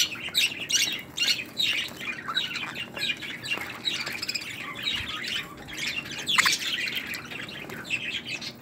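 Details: Several Australian budgerigars (pearl variety) chatter in a continuous high, scratchy warble of rapid chirps and squawks, calling over one another.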